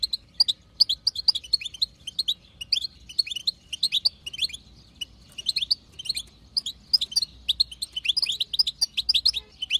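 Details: Wild-caught female European goldfinch chatter, used to stimulate a male goldfinch into singing: a rapid, dense stream of high, bright chirps and short twittering trills, continuous and unbroken throughout, with no other sounds.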